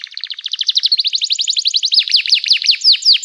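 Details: {'text': 'Canary singing vigorously in an excited chirping style, meant to set off other canaries. A dense stream of quick sweeping notes, loud and varied, with sharp downslurred whistles near the end.'}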